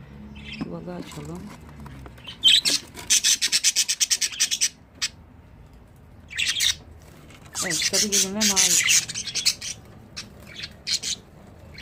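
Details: Several pet budgerigars belonging to one keeper chatter in rapid rasping pulses, a fast run of clicks and buzzy chirps, then scratchy bursts, with a person speaking briefly alongside the birds.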